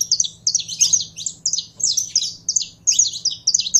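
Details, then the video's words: Saffron finch delivering dense, high-pitched phrases of sharp chirps and sweeping notes in quick clusters, with barely any gaps. Faint constant low hum in the background. "Canário da Terra Esquentando em 3 2 1!!!"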